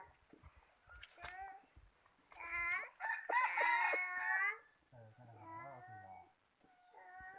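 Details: A rooster gives a long, strained crow, rich and harsh, rising then held for about two seconds before breaking off. Shorter clucks, lower fowl calls and some faint human voices come before and after.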